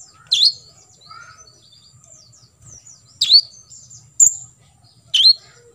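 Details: Kolibri ninja, the olive-backed sunbird, in tembakan isian style kept for training contest birds to imitate: a sharp high chirp, a long pause, then three more bright, slurred chirps about a second apart.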